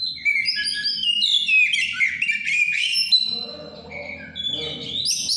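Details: Shama in over-breeding condition sings ngeplong, a plain loud delivery: bright descending and rising whistled notes, then a lower warbled stretch with faint low background noise.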